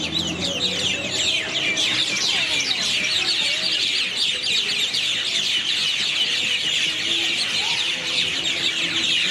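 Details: Birds chirping unusually loudly at night from a single tree in the town of Airlie Beach, 2024: a dense, continuous chorus of many overlapping high, sharp chirps and squeaks, steady throughout with no pauses.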